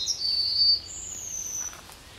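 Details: Yellowhammer at the forest edge of Kabaty, the close of its song: a loud drawn-out note and then a thinner, higher note that slowly falls away, over a quiet background.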